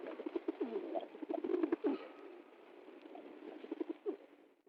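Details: Pigeon dancing in delight over food, uttering soft low coos in the first half, then quieter murmurs, mixed with sharp clicking and tapping sounds.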